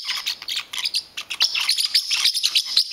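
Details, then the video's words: A territorial pet parrotlet, angry at having his blanket touched, fires off dense, loud, shrill chattering chirps, tightly packed and continuous for three seconds. "Baloo the Parrotlet gets angry"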